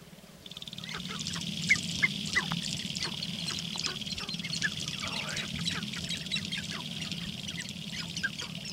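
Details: Sharp-tailed grouse displaying on a lek in Northern Wisconsin on April 29, 2021: a busy overlapping chorus of short clucking and cackling notes, with a steady low rumbling hum underneath throughout.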